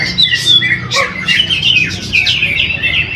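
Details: At a weekly bird-singing practice event in Mojokerto, a caged greater green leafbird that won first place gives scattered sharp chirps and short sliding whistles among competing birdsong.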